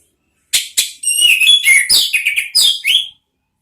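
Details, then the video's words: An orange-headed thrush gives a rapid, varied phrase of sharp high notes, slurred whistles and twittering trills lasting about two and a half seconds. "Siulan ANIS MERAH ampuh memancing BUNYI NGEPLONG ¦TERAPI PANCINGAN ¦ KICAUAN NGERIWIK"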